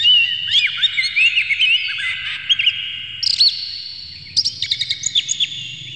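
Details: Oriental magpie-robin song with a rich, varied opening of whistled loops and slurs, a brief pause, then a quick run of staccato high chips; used as a provocation for other magpie-robins.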